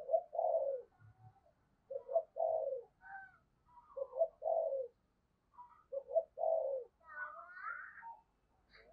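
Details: Spotted dove decoy with the deep 'thunder' voice, calling to lure wild doves, repeats a three-part low coo roughly every two seconds; faint higher chirps of other birds appear near the end.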